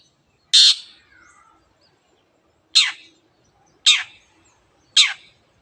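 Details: Long-tailed shrike giving 'teot teot' calls: four loud, rasping, downward-sweeping notes, the first followed by a faint whining trail, the rest about a second apart.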